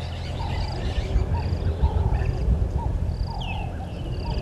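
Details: At a nest tree near a waterhole on Djuma Game Reserve in South Africa's Sabi Sand Wildtuin, a red-billed hornbill gives spaced, mid-pitched clucks on 30 January 2020, late morning, while other birds whistle high above and low background noise persists.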